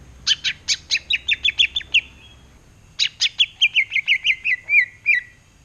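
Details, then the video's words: Caged greater green leafbird singing actively toward its mirror in ngerotek rattling style: two fast trains of about ten crisp, evenly spaced chips each, the second ending in slurred whistled notes; faint background hum. "CUCAK IJO NGEROTEK GACOR SAMBIL NGACA?!!!"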